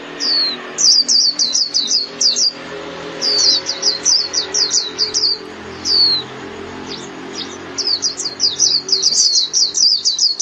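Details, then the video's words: Lively high-pitched twittering from a white-eye summoning its flock, with volleys of fast downslurred chirps broken by short pauses and occasional single falling whistles, across about ten seconds. "Chim Vành Khuyên (Chim Khuyên) hót gọi bầy"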